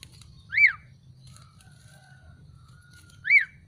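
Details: Black-collared starling after bathing and sunning. Two strong arched whistles, each rising then falling sharply, are separated by about three seconds of faint soft notes and a low hum.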